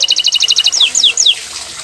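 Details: Short burst of bottle-green canary song: a quick run of repeated paired notes followed by three swooping descending slurs over a soft hiss.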